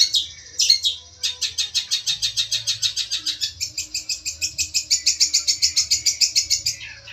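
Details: Long-tailed shrike, a fighter bird calling out a rival, used as a lure: fast, steady chattering of high harsh notes, about three per second, after a few opening squeaks; faint low hum beneath.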